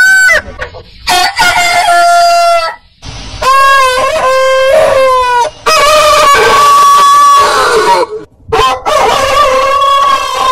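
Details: Rooster crowing: long harmonic-rich crows, some held on a steady pitch and others wavering, repeated with short gaps, with several overlapping bursts suggesting more than one bird.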